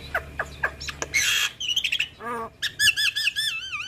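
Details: Female Javan myna, kept and well cared for, sings: clipped upward chips, a harsh rasping burst, then a series of looping wavy whistles repeated several times in quick succession.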